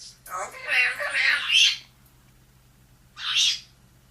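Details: In the morning, a female African grey parrot asks to come out of her cage: a bright, raspy string of word-like syllables lasting over a second, then one short squawky word after a pause.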